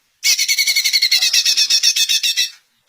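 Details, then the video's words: Greater green leafbird song meant to make other leafbirds answer: a fast, even run of bright, high chattering notes, about twenty in just over two seconds, loud and clean, ending abruptly. "Cucak Ijo Anda PASTI AKAN NYAUT dengar Suara KICAUAN MERDU TERBAIKNYA INI"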